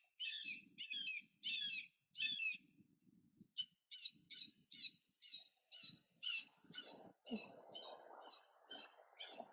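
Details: A juvenile Red-tailed Hawk flying in over a school campus in May 2021 gives a steady run of high, thin, squealing notes, about two each second, while a person talks quietly underneath.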